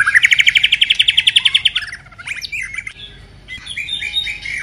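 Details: A moulting white-rumped shama delivers a fast, bright, buzzy trill of the 'kéo thuốc lào' type for nearly two seconds, followed by jumbled warbled and squeaky notes.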